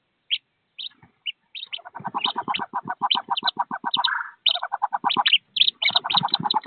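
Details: Wood duck ducklings, thirteen in a nest box about 15 feet off the ground, as they prepare to jump out and join their mother. High peeps come in short bursts, with a long run of rapid, lower pulsed notes repeated many times per second.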